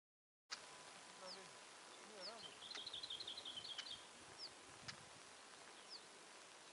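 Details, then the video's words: Male Siberian stonechat, tame and flying close by, with a female nearby: thin high descending whistles spaced about 1.5 seconds apart, sharp clicks, and a short rapid trilled phrase in the middle, over steady background hiss. "Черноголовый Чекан голос и пение"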